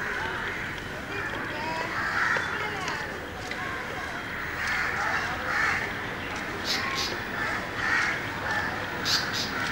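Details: An Asian paradise flycatcher gives harsh, rasping skreek notes about every two seconds, the sharp calls noisy males utter, over a steady background hiss with faint chatter from other birds.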